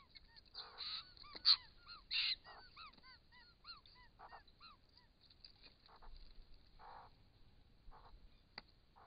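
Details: Quiet camera-trap recording of wild Australian White-winged Choughs drinking at a pond: a run of short, curved whistles from several birds, with occasional harsh noisy bursts and clicks between them.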